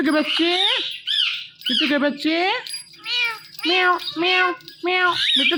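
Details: Male pet Ringneck parrot talking into a phone and imitating a cat's 'meow': a rapid series of short, nasal, harmonic meows and squawks, several per second in bursts.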